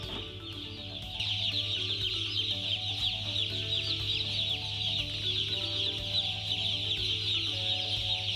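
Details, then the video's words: Flock of broiler chicks peeping nonstop in shrill, rapid, overlapping chirps. The chorus grows louder after the first second, over a steady low mechanical hum. "Broiler chicks"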